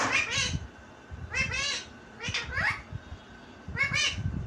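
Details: Pet talking parrot repeating a phrase meaning "mummy, parrot, get up": a few short, harsh, raspy voice-like bursts in a small room, spaced about a second apart.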